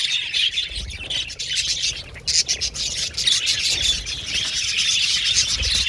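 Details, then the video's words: Budgerigars of a colony kept in an aviary chirping and squawking together, a busy high chatter that swells and dips, with a short lull early on before the noise builds again. "Beautiful Budgies Chirping Sound"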